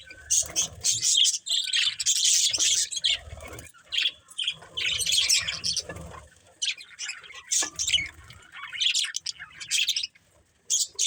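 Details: Budgerigars chirping in bursts of buzzy, squeaky warbles and sharp chips, several birds overlapping, broken by brief pauses, with low thuds and rustling.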